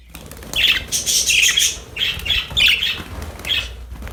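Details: Happy pet budgerigars at play with a new toy, a busy run of scratchy chirps and chatter together with a rustling, flapping sound.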